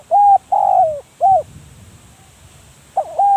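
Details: Spotted dove used for decoying calls loudly and close: a level coo, a longer wavering coo that drops at the end, a short coo, and after a pause the next phrase begins, with faint low rustling.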